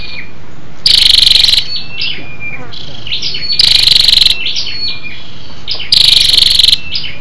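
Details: Lure call of a female scarlet-backed flowerpecker meant to stimulate males: three loud rattling high-pitched bursts about every two and a half seconds, with quieter thin whistled notes in the gaps.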